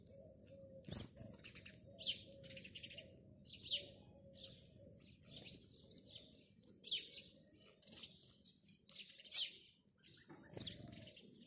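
House sparrows give bright, repeated chirps in irregular bursts, with several birds calling over a low, steady hum.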